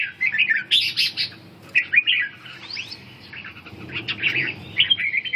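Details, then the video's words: Ché song from a red-whiskered bulbul in stamina-recovery training: lively warbled phrases with some sharp high chirps, a short lull mid-way, then renewed chattering notes toward the end. "Phục hồi suy lực và luyện ché"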